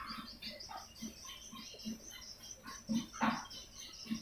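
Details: Swiftlet lure recording: thin high chirps and twitters over quick low clicking pulses, with a louder, harsher burst near the end.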